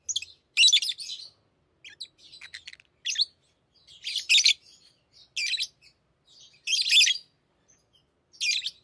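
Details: Tame pet lovebirds chattering and singing while playing with rings indoors, giving loud raspy high-pitched chirp bursts roughly every second, with softer twittering between them.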